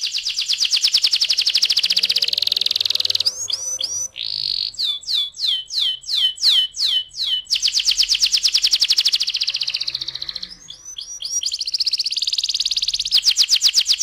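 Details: Canary singing in the rolling 'ngeroll' style, played as a lure to make canaries sing: dense, high, continuous rolling trills, with a middle stretch of sharp, repeated sweeping notes before the fast roll resumes.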